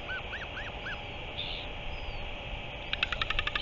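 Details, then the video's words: Northern royal albatross on 05.03.2023: four evenly spaced, arching whine-like notes, a soft hiss, then a burst of rapid pulsed clatter at the end, over continuous low background noise. "Northern royal albatross"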